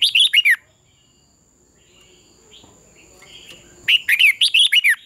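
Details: Red-whiskered bulbul singing in dawn competition training: a short run of bright falling chirps, nearly three seconds of near quiet with faint murmurs, then a longer loud burst of rapid sharp slurred notes.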